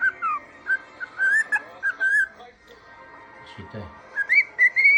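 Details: Pet cockatiel with an injured left foot, whistling while standing on one leg: clear melodic whistled phrases with rising and falling notes, a brief pause, then higher whistles.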